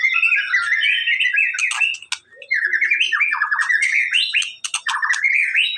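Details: White-rumped shama song aimed at getting a silent bird to respond: dense warbling whistles, rolling buzzy trills and crisp clicks, with one brief pause near the middle.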